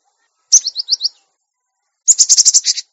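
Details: Cinereous tit, master recording for caged-bird training: four quick, high, downslurred whistled notes, then after a pause a longer harsh, buzzy rattling burst.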